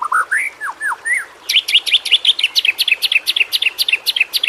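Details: White-rumped shama (murai batu) song, a training recording for prompting reluctant shamas to sing: slurred rising and falling whistles, then a fast run of sharp, evenly repeated chirped notes, clear against a quiet background.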